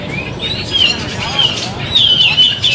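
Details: Grey-cheeked bulbul singing during a Sunday community songbird competition on 27 September 2020, where it took two sessions: bright slurred whistles rising and falling in quick phrases, set against low crowd noise.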